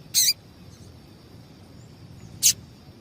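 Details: Calling female double-collared seedeater, whose calls serve to excite males for singing contests: two brief, high, piercing chips about two seconds apart against a faint steady hiss.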